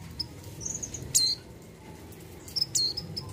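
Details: High, piercing chirps from a breeding-condition female mountain white-eye calling a male; two separated clusters of quick, slurred notes with a faint steady hum underneath.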